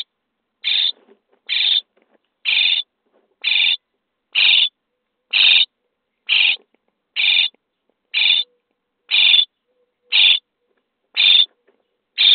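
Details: Common starling young being fed in their nest box on day 23: an even series of thirteen scratchy, buzzing rasps, about one per second, over a quiet background.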